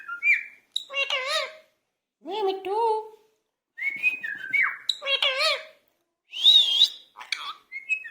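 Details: Angry Indian ringneck parakeet talking in bursts separated by short silences: flat whistled notes, quavering voice-like phrases, a lower drawn-out syllable, and a bright high whistle near the end.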